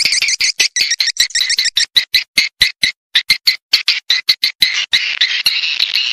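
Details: Swiftlet call for luring swiftlets: loud, rapid clicking chirps repeated several times a second, turning into a harsh continuous buzz toward the end.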